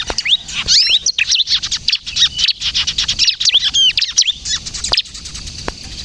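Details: Energetic bar-winged prinia song in the kejepit style, used as a lure and to set untrained prinias singing: crowded, rapid high twitters and curling, arched notes in dense bursts separated by very short gaps.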